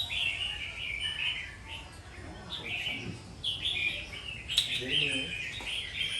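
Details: Red-whiskered bulbul, described as a warrior bird, giving lively warbled phrases of bright chirpy notes, short bursts repeated roughly every second, over a soft low background hum.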